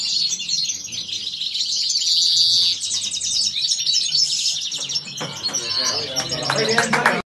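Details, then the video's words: Kawasaki phrase from a European goldfinch, repeated two to five times: a sustained, bright buzzy trill opens into fast, chattering, high-pitched twitters that continue almost without pause. Faint background noise. "Jilguero pegando kawasaki"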